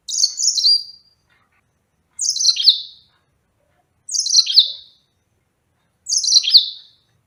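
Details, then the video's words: Yellow-fronted canary repeating a clear, high, bright phrase of rapid descending whistled sweeps, four times at steady two-second intervals, against silence. "Enchanting Sounds Tropical Bird Calls to Relax finch Serinus mozambicus"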